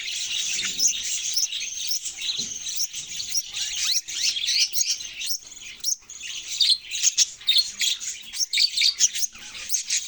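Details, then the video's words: Budgerigar chatter over ten seconds: constant high-pitched twittering and chirps layered together, swelling and fading, with a faint low hum underneath. "parrot sounds and chirping sounds"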